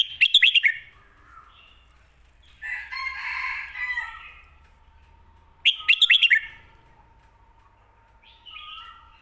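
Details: Red-whiskered bulbul in the 'Phat Kuai Tiao' / 'Khayao Khuat' style used to teach home birds. Two short bouncy whistled phrases about six seconds apart, with a rooster-like harsh crowing between them.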